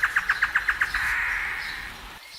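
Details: Great antshrike (Taraba major) song in the wild: a quick run of about eight hollow, mid-pitched hoots, then a drawn-out harsh snarl lasting nearly a second.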